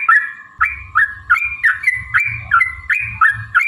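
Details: Yellow-vented bulbul in long, fast 'ropel' singing used to incite other bulbuls: bubbly down-up phrases tumbling about three per second over a steady hum and soft low rumble.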